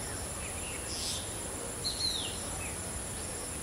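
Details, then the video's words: A black drongo mimicking a shikra's call gives one sharp, high note that slurs downward, with a few fainter notes around it, over steady hiss and a thin insect drone. "Black Drongo Mimicking Shikra Call"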